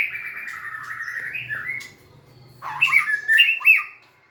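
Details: White-rumped shama singing: a sustained wavering whistle for about two seconds, a short quiet gap, then a burst of sharp, higher chirps and squeaky notes; low hum in the background.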